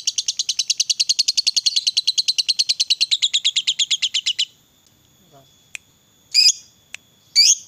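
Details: Lovebird of the fighter type giving a long ngekek song, used as a lure to make other lovebirds sing: a rapid, buzzy chattering trill of about ten harsh notes per second for over four seconds, then a pause and a few sharp, isolated chips.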